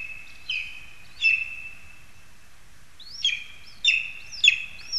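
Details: In a spruce in Zemgale, Latvia, on 22 August 2021, lesser spotted eagles give spaced high yelps, some rising then dropping sharply, irregularly timed over quiet background hiss.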